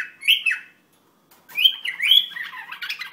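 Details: An Iraqi bulbul gives two slurred whistled notes, pauses, then delivers a longer warbling run of rising and falling whistles mixed with harsher chatter.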